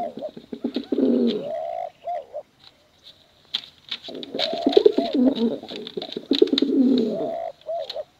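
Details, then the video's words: Male and female pigeons giving contest coos used to attract young pigeons; low rolling coos and hoots in a long busy run after a brief quiet gap, with frequent sharp clicks. "Suara Bekuran Burung Merpati Lomba Hutan Dara Durasi Panjang"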